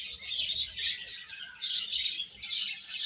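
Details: Short burst of massed chick peeping, bright shrill chirps repeated rapidly and overlapping in waves over a faint low background murmur.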